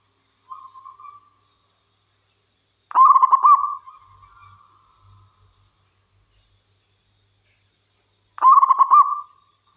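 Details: A local wild zebra dove gives soft introductory coos, then a loud phrase of rapid bubbling notes that fades into a long hum, and repeats the rolling phrase after about five seconds. A faint low rumble is heard.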